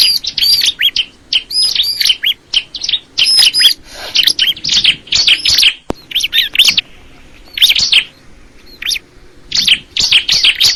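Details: Bar-winged prinia pouring out lively phrases of bright chirps and high thin whistles, in clusters broken by short silences, with a faint click midway.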